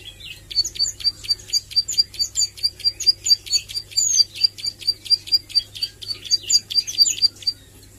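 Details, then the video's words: Young Bar-winged Prinia (ciblek sawah) learning to sing, nembak style: a loud, sustained string of sharp high chips, over two per second for about seven seconds, fairly even, above a low hum. "Suara Ciblek Sawah Belajar nglagu dan nembak"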